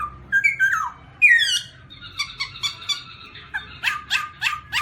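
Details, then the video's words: Black-throated laughingthrush (Garrulax chinensis) giving rising and falling whistles, a loud swooping note, wavering chatter and a closing series of harsh rasping calls. "Birds Black-throated laughingthrush (Garrulax chinensis): Funny Sounds And Funny Dances"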